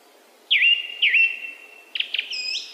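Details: Song thrush singing: two clear whistled phrases with a quick downward flick then a long level tone, followed by a burst of rapid chattering notes and a higher whistled tail.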